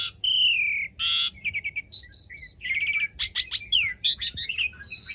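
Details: Singing Asian pied starling, a bird in full, long-rolling voice meant to coax silent starlings into song: loud varied phrases of sliding whistles, harsh rasping bursts, rapid stuttering chips and falling slurred notes, delivered almost without pause.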